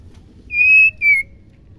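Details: Female white-rumped shama, a kept bird whose voice is played to make males sing, gives two pure whistles: a long steady note, then a shorter slightly falling one, over a quiet low hum.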